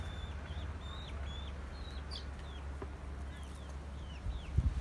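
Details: Chicks in a family coop where a rooster, hens and chicks are kept: thin, high, downward-sliding peeps repeated about every half second over a steady low hum.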